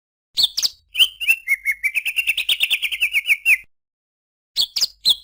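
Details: Greater green leafbird song: opening chirps give way to a long, rapid trill of ringing notes that rise gently in pitch, followed by a pause and more sharp chirps.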